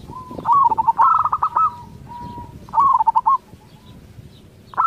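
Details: Local zebra dove sings to provoke an answer from other zebra doves: a soft level whistle leading into rapid stuttering coos, the pattern repeated twice, with the next phrase starting at the end.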